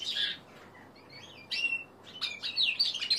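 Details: Juvenile male common linnet and canary cross, aged three months, in the middle of learning its song. Short bursts of high twitter and a thin whistled slide are separated by quiet gaps. The clip ends in a busier warbling phrase.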